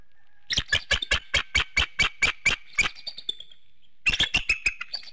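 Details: Bald eagle at a nest in Hanover, Pennsylvania, at the 7:06 a.m. morning wake-up, filmed by infrared camera. About a dozen sharp, high piping notes are given in quick succession, then a brief pause and a second rapid burst.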